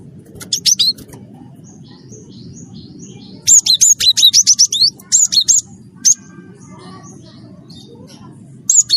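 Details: Java sparrow, called gelatik batu wingko, singing in a lively, productive way, used to prompt other birds to sing: bursts of high, sharp chirps and short clicking notes in quick runs, with a low background hum.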